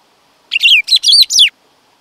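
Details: Black-throated grosbeak song: a short one-second phrase of loud, clear whistled notes sweeping down, four connected bursts in quick succession, no other sounds.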